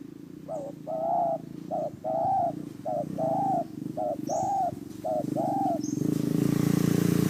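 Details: Spotted dove lure bird for trapping, with clear two-part coos repeated about once a second over a steady background hum and noise, a few high faint chirps above.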